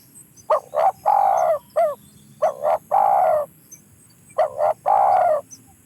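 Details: Spotted dove giving a repeated cooing phrase: two short clipped notes followed by a long, drawn-out, slightly falling coo, heard three times about two seconds apart against a quiet background.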